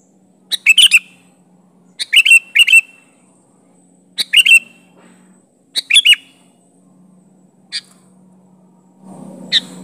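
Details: Sparse rival-challenging calls of a sooty-headed bulbul in natural voice: short chirp clusters with twangy falling ends every one to two seconds, fading to single faint notes, with a low rumble near the end.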